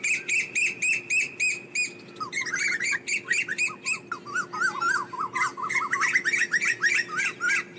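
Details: Asian koel calling its flock: sharp repeated notes about four per second, then a rapid, tumbling bubbly series of slurred notes, over a faint constant hum.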